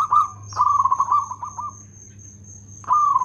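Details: Local zebra dove with a loud, well-rhythmed voice: a short rolling coo, then a long run of rapid pulsed coos, a pause, and a new phrase starting. Beneath them sit a steady high whine and a low hum.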